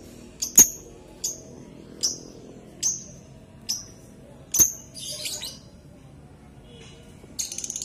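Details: Lovebird producing clipped, high, ringing chirps repeated about every 0.8 seconds, followed by a brief scratchy chatter and a burst of hissing noise at the end.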